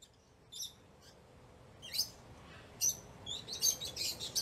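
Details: Shrill chirping lovebird, scattered high notes growing into a denser run of overlapping squeaky calls toward the end, over steady background hiss.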